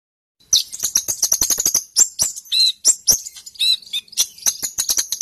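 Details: Sunbird singing in fighting mood, lively and nonstop, offered as a master song for tutoring other birds: dense bursts of sharp high chirps and short tinkling twitters, rapid and uneven, with brief whistled notes between clicks.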